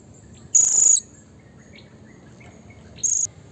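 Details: Blue-crowned hanging parrot used as a lure to rile rivals: a sharp, piercing high note lasting under half a second, then after a long gap a second shorter shriek, with faint soft chips between.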